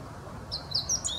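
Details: Meadow bunting song fragment: a few quick, very high, thin notes and short slurred whistles over faint low background noise.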